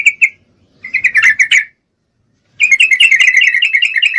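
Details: Female Sooty-headed Bulbul, in breeding condition, calling to a male: two quick notes, a short bubbly chatter, silence, then a sustained fast rattling trill.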